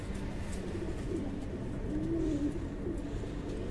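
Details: One drawn-out, gently wavering coo from a fancy pigeon on a breeding farm sounds midway, with fainter cooing before and after, against a low mechanical hum.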